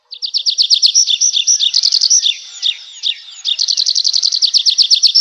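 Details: Nightingale singing at night among forest trees: quick regular trills of high pulsed notes, a blurred buzzy passage, a short pause, then another fast even trill.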